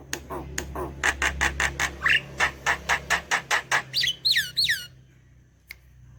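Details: Javan myna singing busily: a loud run of about a dozen harsh, buzzy notes repeated roughly every quarter second, then a few sweeping whistled notes, ending in near silence with one click; a steady low hum throughout.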